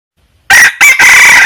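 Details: Wild red junglefowl crowing: after half a second of silence, a loud, harsh, hoarse crow breaks into a short first syllable and then a long, strained, drawn-out final note that is still going when the recording cuts off.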